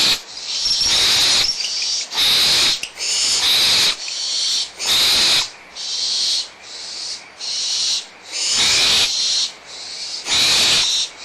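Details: Young barn owls quarrelling over leftover food at Audubon Starr Ranch Sanctuary, mother nearby, 17 April 2011: about ten rasping, breathy screeches, roughly a second apart, some louder and longer, others shorter and softer.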